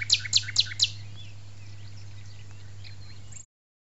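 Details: Common nightingale at the arboretum of La Petite Loiterie delivering four loud, piercing repeated notes about a quarter second apart, followed by faint softer twitters and a constant low hum.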